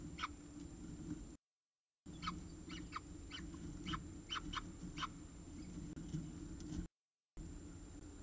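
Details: Evening at the CSU Orange peregrine falcon nest, 14 October 2019, last prey of the day: rapid series of short, harsh chup-like notes, eight or nine in a run, between brief gaps, with a low hum behind.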